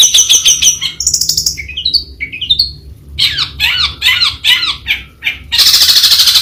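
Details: Long-tailed Shrike (Lanius schach) sings a fast, varied, melodious medley: rapid buzzy chatter, a run of sharp rising whistles, scratchy warbled phrases, and a harsh grating burst at the end.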